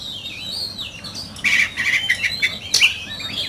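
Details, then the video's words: Oriental magpie-robin in fierce competitive singing: thin whistled notes sliding at first, then a burst of short bright chirped phrases with crisp clicks and buzzy notes after mid-clip, over a soft hiss. "Chòe Than,Bộ Đẹp,Hót Đấu Căng Lửa"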